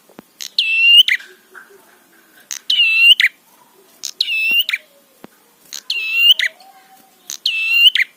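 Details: Prinia song played to stir rival prinias: five buzzy, metallic phrases with a steady ringing tone and a scratchy ending, spaced about every 1.5 seconds over a quiet background.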